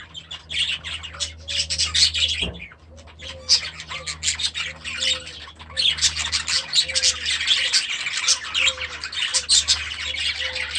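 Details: Young budgerigars settling into a new aviary at the start of the season, giving continuous high scratchy chatter and squawks from many birds, with a steady low background hum and a few short lower tonal notes.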